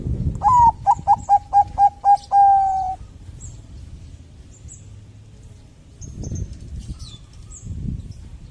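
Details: Zebra dove, Bangkok type, singing to draw song from other doves: a rising coo, a rapid string of short coos and a long held note in the first three seconds, then quiet with distant bird chirps.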